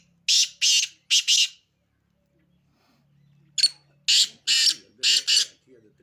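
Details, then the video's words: Sindhi black francolin (kala titer) calling: two phrases of harsh, grating, buzzy notes, three bursts first and then five after a pause, with a faint low hum underneath. "Full Awaz Sindhi Kala Titer Awaz"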